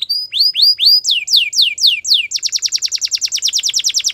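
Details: Morning song of a Belgian canary, made of repeated downward-sweeping whistled notes that start slow and spaced, then speed into a rapid tumbling series of high descending notes.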